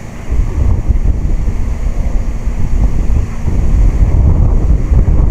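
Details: Strong wind roars and buffets the microphone throughout, a dense low rumble with no animal voice audible.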